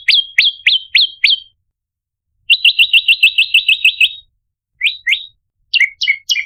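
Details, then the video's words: Ashy tailorbird (prenjak lumut) lure: a few upslurred chirps, a pause, a rapid machine-like burst of similar notes, then scattered lower, falling chirps; clean, with no background noise. "Prenjak Gacor - Variasi Tembakan Pancingan Prenjak Lumut - Masteran Suara Pikat Prenjak Kepala Merah"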